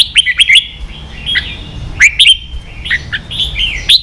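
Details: Training song for young birds from a red-whiskered bulbul in the ché style. Sharp, sweet whistled notes come in clusters of two or three, with sliding slurs between the bursts.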